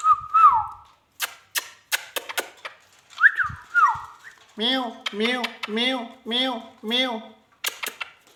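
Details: Ringneck parrot said to talk in English and Urdu: sliding whistled notes mixed with sharp clicks, then five harsh, voice-like syllables repeated in a steady run, followed by more clicks.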